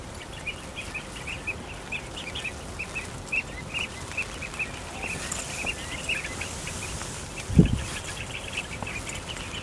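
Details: During the breeding season on Kinmen, several blue-tailed bee-eaters give a steady, overlapping chatter of short, rolling trilled notes amid squabbles around mating birds, over a low rumble of wind and one dull thump.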